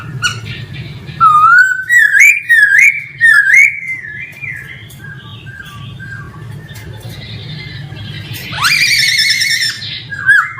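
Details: Male laughingthrush in full song: a fast sequence of zigzag whistled notes climbing in pitch, softer warbling, then a harsh overtone-rich burst and a closing whistle; low hum underneath.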